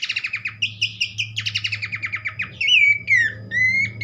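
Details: Horsfield's babbler song for stimulating other babblers: a fast even series of short paired notes for over two seconds, then loud clear downslurred and level whistles, over a low hum.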